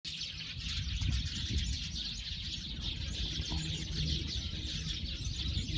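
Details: Eurasian tree sparrows chattering as a flock, a dense, unbroken wash of high chirps and tweets, with a steady low rumble of background noise underneath.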